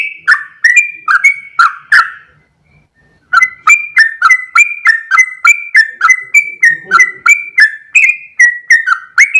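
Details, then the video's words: Sooty-headed bulbul in full, vigorous 'ropel' song: a brief run of sharp whistled notes, a two-second pause, then a long steady torrent of liquid two-tone slurs about three per second. "full suara Trucuk gacor ropel panjang"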